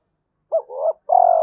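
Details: Spotted dove decoy cooing to provoke wild doves into fighting and draw them in: two low, mellow coo notes, the first dipping and the second swelling, then a sustained steady coo beginning after a brief pause.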